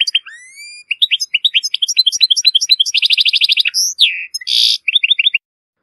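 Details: A Moroccan European goldfinch's strong, error-free song for teaching chicks of goldfinches and hybrids: thin rising whistles lead into fast liquid twittering, a dry buzzing rattle, a slurred nasal call and a final burst of chirps.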